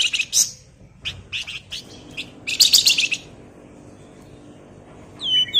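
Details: Lively flamboyan bird used as a lure recording to prompt other birds to sing, delivering crecetan-style song: short bursts of high, scratchy chirps in quick clusters, a pause, then a brighter rattling burst and a final upswept note.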